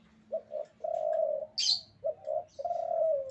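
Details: Spotted dove, a male in breeding condition, delivering soft low coos: two brief notes then a long sustained one, repeated twice, with a single sharp high chirp from another bird between phrases.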